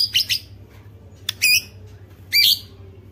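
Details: White-rumped shama, a cage bird used to provoke other shamas into song: short, bright, high whistled phrases, two quick notes at the start, then a sharp note with a twisting whistle, and a final loud whistled phrase, over a faint low hum.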